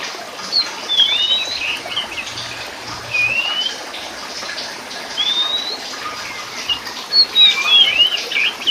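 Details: Kacer poci, the oriental magpie-robin subspecies musicus, delivers spaced whistled phrases, each a smooth upward slur or a quick twisting note group. A continuous watery hiss runs underneath.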